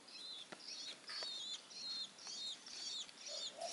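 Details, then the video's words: Hand-fed Long-tailed shrike nestling, three weeks old and given crickets, begging with rapid, raspy, buzzy chirps repeated about twice a second, with soft wing-flutter sounds between calls. "LOLOHAN BURUNG PENTET USIA 3 MINGGU"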